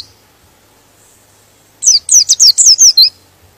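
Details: After a quiet start, a white-eye delivers one quick phrase of about eight high, sharp, downward-slurred whistles, a song meant to provoke other white-eyes into singing.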